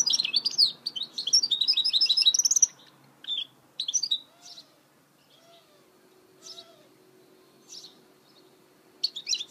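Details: Goldfinch mule hybrid song opens with nearly three seconds of loud, dense, high twittering. Scattered short chirps follow, with a few soft, lower whistled notes in between.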